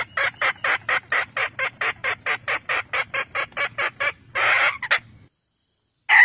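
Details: Red junglefowl calling, meant as a lure for trapping: a steady series of about seventeen short clucks roughly every quarter second, then a harsher burst and a brief final note.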